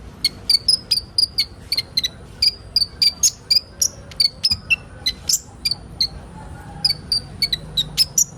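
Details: Kolibri ninja sunbirds in a crowd chorus played as training material for young birds. Steady, fast series of sharp, very high chirps, many with a short downward slur, continue almost without a break.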